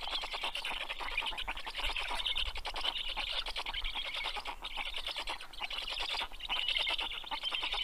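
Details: Nest camera at a black stork nest, Karula National Park, Estonia, evening of 11 June 2023, as the male delivers fish to the chicks. Continuous scratchy, pulsing rasp, slightly rising and falling in strength, with faint low thumps.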